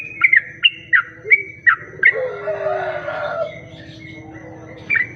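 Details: Lure song of a sooty-headed bulbul, meant to draw in other bulbuls: five or six short, loud whistled notes in rapid sequence. A longer, rougher sliding call follows, over a constant low mechanical-sounding hum.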